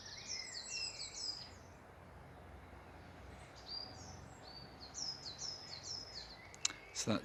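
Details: A coal tit in a park sings high, sweet two-note 'pichu pichu' phrases, sweeter and higher than a great tit, repeated quickly in two bursts, with faint background murmur and sharp clicks at the end.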